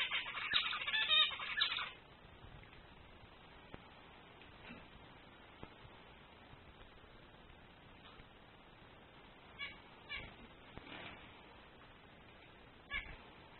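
A male zebra finch opens with a quick burst of harsh, buzzy, nasal song notes.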